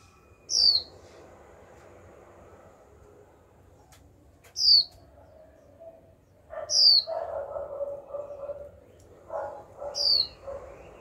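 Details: Female Japanese white-eye, young and caged, calling continuously to get males singing: four crisp descending whistles spread over eleven seconds, with soft rustling and shuffling sounds in the latter half.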